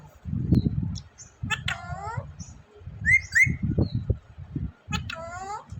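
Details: Pet talking parrot in Vehari, Punjab, Pakistan, recorded on a mobile phone: two loud, descending, harmonic-rich utterances and a pair of short chirps in between, over low rumbling background voices and room noise.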